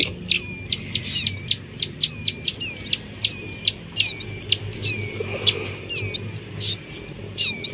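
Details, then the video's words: Bar-winged prinia chicks giving bright, nasal, harmonic notes high in pitch, repeated in quick bursts roughly every half second, some doubled, over a soft low background rumble. "anakan burung ciblek gunung"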